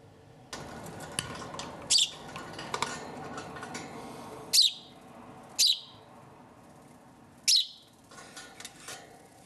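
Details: Indoors, a hand-reared house sparrow chick, rescued from a road at roughly two to three days old, utters several brief, high, squeaky chirps at irregular intervals over soft clicks and handling noise.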